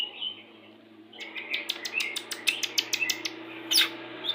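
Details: White-rumped shama, Pastol type, singing a lure song for pairing birds to bring on breeding condition: a quiet opening second, then a rapid series of crisp clicking notes mixed with high whistles.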